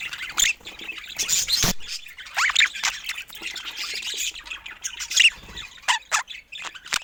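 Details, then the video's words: Pet budgies playing together call in bursts: sharp squawks, short rising and falling whistles and scratchy chirps, separated by brief quieter gaps, with clicks and rustles between calls. "Adorable Budgies Playing Together"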